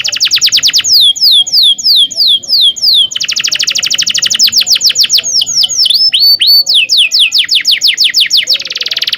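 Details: Domestic canary in long rolling training song used as a tutor for young canaries learning to sing: fast repeated descending whistled notes in trills, switching between syllable types, with a buzzy rolling segment near the end.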